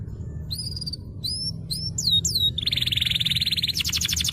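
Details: Lively canary song from a master recording played to get stalled canaries singing: a few quick rising whistled notes, then a loud buzzy sustained trill changing into a rapid pulsed rattle, over a faint low hum.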